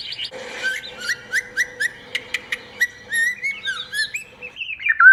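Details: White-rumped shama, described as a female and a forest-style singer, giving a run of short repeated upslurred whistles about four per second, then higher varied warbled phrases, with a steady low hum behind.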